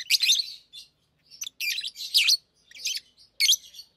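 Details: Hand-tamed lovebirds singing and talking as they play with rings, a near-continuous run of harsh, buzzy, high chirps and squeaky twitters with only short pauses.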